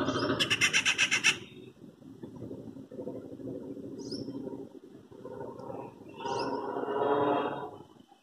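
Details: A treepie calls in a quiet afternoon while moving from branch to branch: a loud, harsh, metallic rattle of about eight rapid pulses, then brief high whistled notes over a low background rumble.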